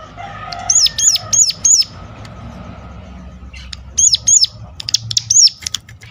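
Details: Sunda warbler sharp lure call for prompting other warblers to sing: short groups of high hooked notes separated by pauses, over a noisy low background.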